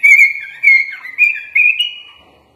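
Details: Sooty-headed bulbul (kutilang), a training recording of a full-isian song with mimicked phrases, including white-rumped shama (murai batu) phrases: four bright whistled phrases near one pitch, each slurring slightly upward and then fading out.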